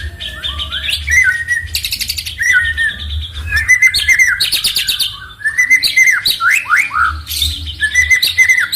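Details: Loud shooting-type 'tembakan' song from a kept songbird, used to provoke rival birds: dense jumbled whistles, chattering trills and rasping buzzes delivered almost without pause, a low steady hum underneath.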